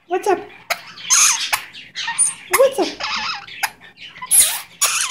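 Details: Goldie's lorikeet kept as a pet, mimicking "give me a kiss" in a squeaky, voice-like string of syllables mixed with sharp clicks and brief thin whistles.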